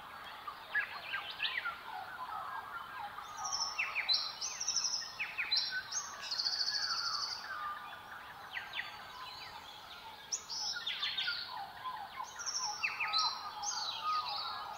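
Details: Silvereyes in a southwest dawn chorus: dense, overlapping high warbled twitters and thin whistled notes from many birds, with a few lower calls from other birds mixed in.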